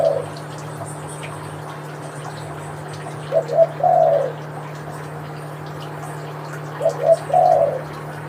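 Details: Spotted dove, local or Kelantan tekukur type, giving its manggung coo. The birds look alike and are told apart by voice. A clipped coo opens, then two full three-part phrases follow about three seconds apart, each ending in a longer note, over constant low hum.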